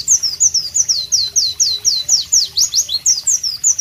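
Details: Pleci white-eye delivering a sharp masteran song of clear, high, down-slurred whistles repeated roughly every quarter second in an even, bright series.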